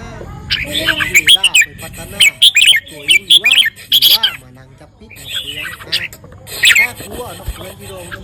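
A Red-whiskered bulbul gives short, bright, chirpy warbled phrases in quick bursts, over a background of a sung pop song.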